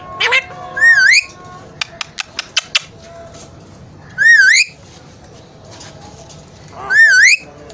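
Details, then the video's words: Alexandrine parakeet kept as a pet talking parrot; loud rising whistled calls with wavering harmonics, three bursts spaced about three seconds apart, with a few clicks and soft room noise between. "Amazing Alexandrine Talking Parrot"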